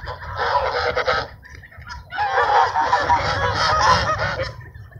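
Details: A flock of ducks being fed at a park gives harsh, overlapping honking quacks in two loud bursts, with a low rumble underneath.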